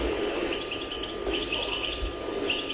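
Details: European goldfinch (Carduelis carduelis) song: a fast, unbroken stream of high, tinkling twitters through the hiss and hum of a very old recording, perhaps from the 1970s, possibly from the La Louvière region.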